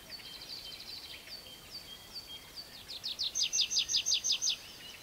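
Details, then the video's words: A tree pipit sings from the ground, giving shorter strophes than in its song flight: high, thin notes breaking into a fast, loud run of about eight bright repeated trills, over a faint background hiss. "Świergotek drzewny (Anthus trivia lis / tree pipit)"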